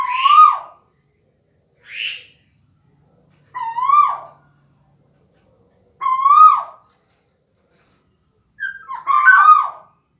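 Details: A tuwu bird sings repeated rich, harmonic whistled notes about two seconds apart. Each note swells and then drops at the end, with a shorter high note and a more broken final phrase among them. The background is silent.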